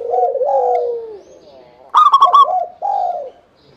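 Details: Local zebra dove lure song, used to coax other doves into singing: soft, rolling low coos that slide downward, then a burst of bright, bubbling, stuttered notes and another warbling coo phrase before fading.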